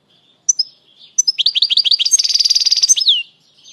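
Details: European goldfinch song used to stimulate birds and tutor young goldfinches: bright twittering notes sweeping up, then a fast buzzy trill of rapid pulses ending in a falling slur, high-pitched and clear.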